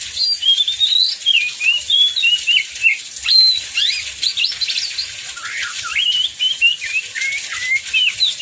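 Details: Heavy rain falls as an oriental magpie-robin sings to spur other magpie-robins into song: a busy run of whistles, chirps and quick slurs, some sweeping steeply down, over constant rain hiss.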